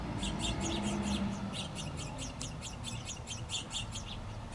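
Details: Two House finch nestlings, on their last day in the nest before fledging, beg while being fed by both parents: a fast, insistent stream of high, thin chirps, about three per second, over a low background rumble.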